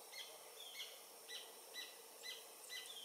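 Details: Adult Paradise jacamar (Galbula dea dea), sex undetermined, singing a series of thin, high, slightly falling whistled notes, about two per second, over forest insect hiss; near Comte (Oyak) river, French Guiana, 8 November 2023, 11:00.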